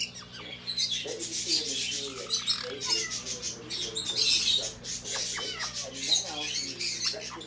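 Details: A closely bonded captive pair of black-headed caiques chatter in harsh squawks, high chirps and scratchy notes, overlapping almost nonstop, over a steady low household hum.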